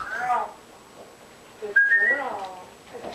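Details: A pet African grey parrot talks to itself indoors in near darkness, unaware of the camera. It makes speech-like mumbling phrases broken by a short clear whistle, in a small quiet room.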